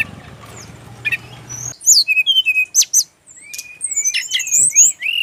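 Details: Jungle flycatcher from Bali, sung as a lure for other birds: after low background rumble, a lively string of high whistled notes with quick upward and downward slides and sharp clicks, in bursts separated by a brief pause.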